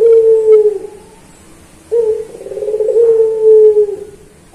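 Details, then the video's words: Puter pelung dove cooing for a training recording. A low, held coo fades, then after a pause an abrupt start leads into another long, steady, deep coo that tails off downward. "Masteran Puter Pelung Manggung Atau Berbunyi"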